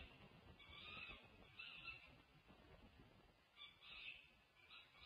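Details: Peregrine falcons at a Berkeley, California nest, June 1, 2024, during a meal as the adult male drops in from above. Short hoarse, scratchy calls in three clusters over steady rumbling background noise.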